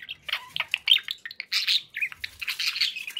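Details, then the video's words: Pet budgies in a cheerful mood, a dense run of quick chirps, clicks and scratchy warbled notes with hardly any gaps. "happy budgie sounds"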